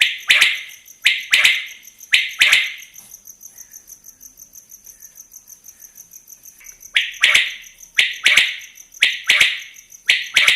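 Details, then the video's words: Quail calling, loud bursts in quick double or triple groups repeated about once a second, a pause partway through, over a steady high pulsing insect-like drone. "Pake Batair ki awaz"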